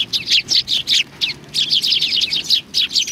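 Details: Flock of sparrows coming for food at a Tenmangu shrine, 25 November 2020: rapid, loud chirping in two busy bursts with a short gap between.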